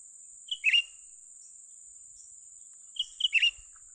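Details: Young cucak ranting bulbul at a trapping site gives two brisk phrases about two and a half seconds apart, whistled pips followed by a buzzy chattering note, under an unbroken high-pitched insect whine.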